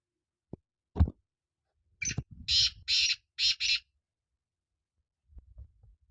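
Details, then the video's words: Two sharp clicks and a thump come before a black francolin's loud rasping phrase of five harsh, buzzy notes. Soft low handling noise follows near the end. "Kala Teetar Awaz"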